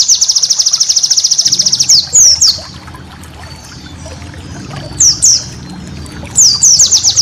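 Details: White-eye training master song: a very fast, even high trill for about two seconds, then quiet, followed by brief bursts of sharp downslurred chirps.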